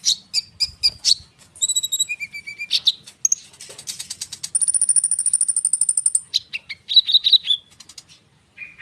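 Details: Common iora singing a fast, dense rolling song meant to lure young sunbirds into answering. It is varied and high-pitched, with quick chirp runs, a long even rattle-like trill of rapid repeated notes, and short buzzy phrases.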